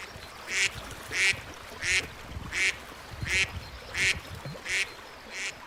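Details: Duck quacking steadily, one short, harsh quack roughly every two-thirds of a second, eight in a row, with a low background murmur.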